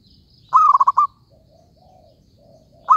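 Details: Zebra dove used as a trapping lure gives one quick stuttering phrase of about five soft, rolling coo notes, followed by faint background bird notes, then the start of the next phrase.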